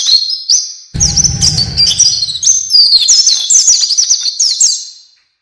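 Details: Energetic isian song of an oriental white-eye (pleci), gacor: a continuous high, warbling chatter of quick slurred whistles lasting about five seconds. A brief low rumble is heard near the start.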